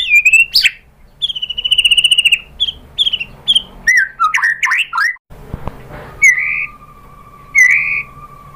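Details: White-rumped shama song used to provoke other birds into singing: clear whistled notes near a steady pitch, then quick slurred and chattering phrases, a pause with a low click, and a long held lower tone under rising whistles.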